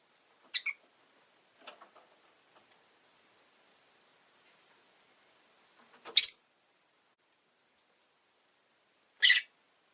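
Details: Rosy-faced lovebird giving three brief, harsh, high-pitched chirps spaced several seconds apart, with soft clicks in between and long quiet gaps.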